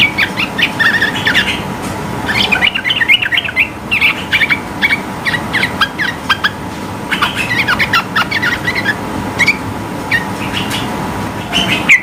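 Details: Sooty-headed bulbul song pitched high to challenge rivals into singing: repeated bursts of quick warbling notes separated by short gaps, over a steady background hum.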